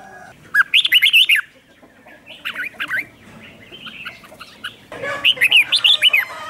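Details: Red-whiskered bulbul used as a decoy to call in wild birds, giving quick looping whistled phrases at the start and end, with softer answering notes from another bird in between and a noisy background.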